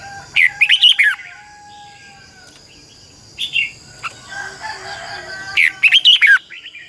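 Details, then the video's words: Red-whiskered bulbul decoy bird singing in the morning in 2020 to train other bulbuls, in a double-voiced style. Two loud bursts of fast, warbled, twisting notes are separated by a long gap with quieter chirps and a steady high hum. "Luyện chào mào hót sáng 2020 Giọng kép xoắn tít căng, chào mào mồi hót luyện giọng cực hay"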